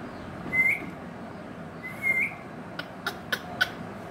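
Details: Indian ringneck parakeet giving two short, thin whistled notes that each end in a quick upward flick, spaced about one and a half seconds apart, followed by a few sharp clicks or taps over a faint steady hiss.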